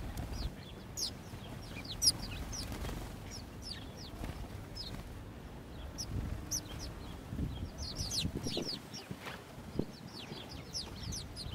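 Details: City house sparrows in Gdynia, Poland, 19 October 2022, unafraid of people. A flock keeps up a steady stream of sharp, high chirps, scattered irregularly, with low urban rumble and occasional thumps beneath.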